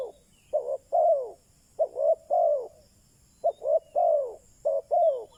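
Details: Spotted dove kept as a decoy to entice wild doves, giving three deliberate phrases of soft coos, a short note then two longer downslurred ones, separated by pauses of about a second.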